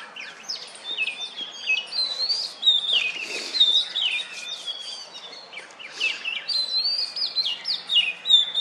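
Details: Male-style courtship song of an Oriental magpie-robin sitting on a wooden stump, calling to females while ruffling its feathers; a continuous, rich stream of varied whistles, slurs and quick chirps, rising and falling through the phrases.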